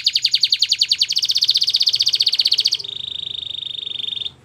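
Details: Belgian canary song used for training canaries to sing: a fast trill of rapid repeated high notes, shifting after about a second to a denser roll, then a steady level whistled tone before stopping.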